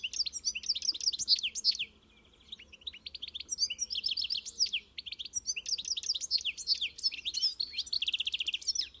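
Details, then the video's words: European goldfinch delivering bursts of quick, bright, twittering notes and buzzy trills, with a pause of about a second in between, ending in a fast rattling trill, above a faint steady low hum. "O canto do Pintassilgo (Carduelis carduelis)"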